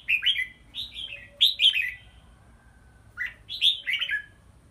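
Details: Red-whiskered bulbul in a small bamboo exercise cage hung up high for stamina training, giving lively song: quick clusters of two to three bright, slurred whistled notes, repeated in bursts with short pauses, a faint low hum behind.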